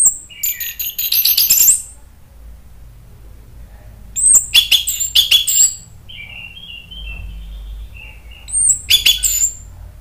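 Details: Orange-headed thrush, caged, in an agitated song used to provoke other birds: three bursts of high sharp chirps and whistles with soft lower warbling between and light background hum.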